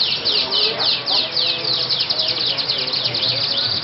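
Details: Yellow canary nicknamed killer at a songbird contest in Jogja, praised for long song duration and crystal-clear volume: rapid high swooping trills repeated about three to four times per second, continuous throughout, with faint crowd murmur beneath.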